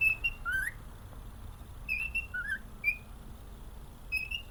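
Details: Male cockatiel kept as a happy pet sings a melody of clean whistles, a rising slurred note followed by steady high tones and a lower upturned note, repeated in short phrases about once a second.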